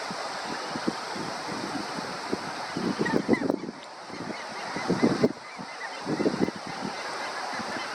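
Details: Crab-plover calls: bursts of rough, honking notes in clusters around three, five and six seconds, set against steady surf and wind noise.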